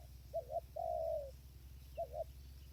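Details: Spotted dove called in decoy trapping by a trap enclosure, windy weather: a clipped double note followed by a long smooth coo dropping in pitch, then another double note, against low background hum.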